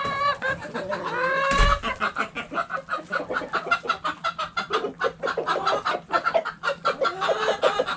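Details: Hens and roosters in a backyard chicken coop, a flock clucking steadily in quick rhythmic bursts, opening with a loud drawn-out rising squawk, with a sharp knock midway.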